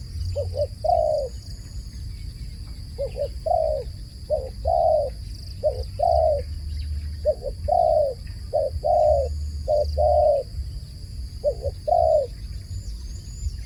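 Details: Repeated dove calls across fourteen seconds, each phrase two quick low coos then one long sustained coo, coming steadily about every second and a half, with a constant high-pitched hum and occasional faint bird chirps behind.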